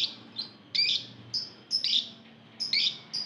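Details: Lovebird calls from a group of many birds, played to provoke other lovebirds into singing: short, sharp, high chirps and squeaky notes in clusters about once a second, over a quiet background.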